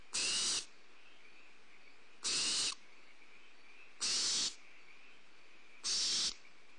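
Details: Barn owl owlets on a nest cam give harsh, hissing, snore-like begging calls, four half-second bursts about every two seconds, with a faint steady hum between, around a prey drop by an adult.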